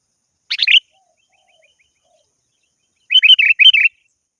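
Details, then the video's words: Sooty-headed bulbul calling a rival, one short burbling phrase followed after a pause by a fast string of about six bright chirped notes. "Suara burung kutilang gacor memanggil lawan"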